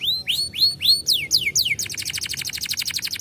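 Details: Canary singing, used to encourage idle canaries to sing: a few swooping whistled notes, then descending sweeps, ending in a fast, dense, buzzy trill of high repeated notes.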